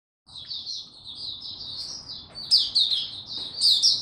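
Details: Young white-eye whose song is still maturing, recorded 09-02-2022: a continuous high, thin twittering warble of quick slurred notes, growing louder and more sharply accented toward the end, over a quiet low background hum.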